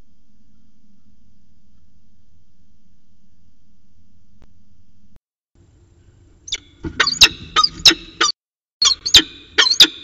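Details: Peregrine falcon pair in a long afternoon exchange at Orange, 13 January 2019: after about six seconds of quiet background hum, a burst of harsh, clipped, chattering notes starts, several in quick succession with short pauses.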